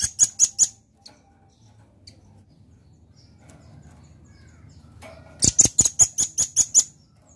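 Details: Red-billed nuthatch singing: two bursts of sharp, high, evenly repeated notes, a short fast run at the start and a longer series of about eight notes near the end, with a quiet pause between.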